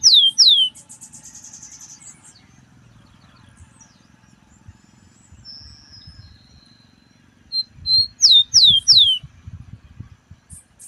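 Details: Rufous-collared sparrow in early-morning song at 5 a.m.: clear, high whistled notes sliding downward, given in short phrases at the start and again later, with a faint high trill and quiet low background hum.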